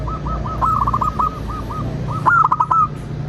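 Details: Lure recording of a local zebra dove to get others calling and answering: a steady string of soft rolling coos, then a brighter rapid phrase near the end marked by sharp clicks, over a constant low hum.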